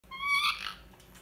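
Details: A pet male rose-ringed parakeet named Charlie gives one short, harsh, slightly rising squawk that breaks into a raspy burst, with quiet room hum behind it.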